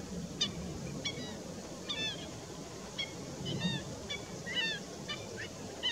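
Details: Black-winged stilt uttering sharp, slightly down-slurred yapping calls, about one or two per second, with a steady murmuring background and low rumble.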